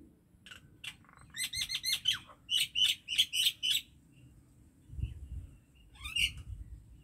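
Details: Common myna singing in a rapid series of short, bright chirping notes, about three per second, with a harsh squawk near the end and faint low background rumble.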